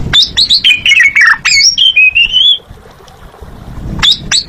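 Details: Asian pied starling song of quick chattering notes sliding down, then a long, even whistle held for about a second, a pause, and a fresh burst of sharp whistled notes at the end.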